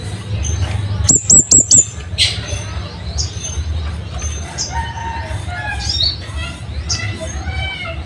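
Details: Scarlet-headed flowerpecker with its sharp, loud wild-type song, recorded as a tutor for caged birds: a rapid string of five thin, very high ticks, followed by assorted short chirps and whistled notes over low background hum.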